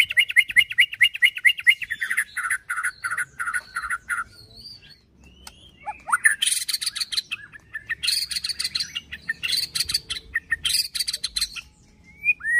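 White-rumped shama singing: a fast run of repeated bright notes, then varied phrases of clear whistles mixed with harsh, rattling chatter bursts.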